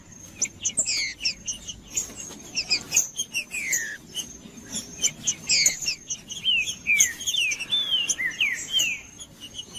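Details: Green-winged saltator singing, sound meant to warm up cold birds kept for tournaments: busy high chirps at first, then clear sliding whistles rising and falling in quick succession over a constant high-pitched whine.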